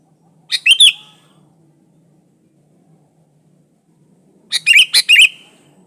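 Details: Sooty-headed bulbul in lively, unmixed song, used as a lure for other bulbuls: a quick slurred whistled phrase, then after a pause a longer phrase of four bright, rising-and-falling notes over a low background hum.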